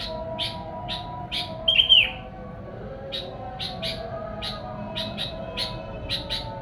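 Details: Lure song of a sooty-headed bulbul for catching the attention of wild bulbuls: evenly spaced short chirps, one louder whistled downslur near the start, soft hum in the background.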